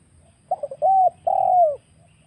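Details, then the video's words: One phrase from a wild spotted dove used as a trapping lure: a brief triple stutter, a clear level coo, then a longer coo that slurs downward at the end; soft low rumble behind. "suara pikat burung tekukur Liar"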